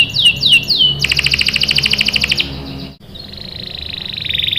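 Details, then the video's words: Canary song used as a lure for young birds: a few high downward-sweeping notes, then a dense buzzy rolling trill lasting over a second, a brief break, and a softer rapid trill rising at the end. "PANCINGAN KENARI GACOR CUIT CUIT memancing kenari paud ikut BUNYI | CANARY SINGING"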